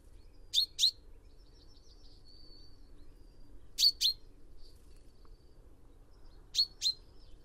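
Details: Sharp double notes from a common chaffinch, repeated three times about three seconds apart. Soft, thin high whistles and trills sound between them in the quiet background.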